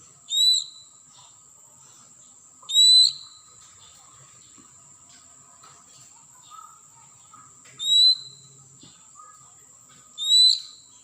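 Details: Wild Oriental magpie-robin from the forest. It gives a short whistled call that sweeps up and then bends down, repeated about every two and a half seconds, four times. A steady high insect-like whine runs throughout.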